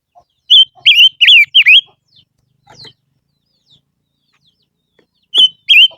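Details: Lure song of a barbet: a burst of four rich whistled notes with wavering, dipping shape, a quiet stretch with faint clicks, then two more matching whistled notes at the end.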